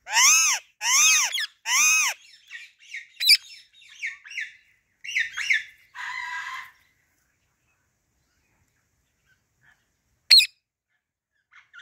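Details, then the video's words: A female Alexandrine parakeet gives three loud, harsh, arching screeches, then a run of softer chattering notes and a short rasping squawk, with one sharp click later. "Female Alexandrine Parrot Natural Voice"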